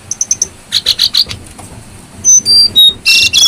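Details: Lure recording of a lively brown-throated sunbird: quick high ticking notes give way to a few buzzy chirps, then pure piercing whistles at varied pitches and a dense, loud rasping burst at the end.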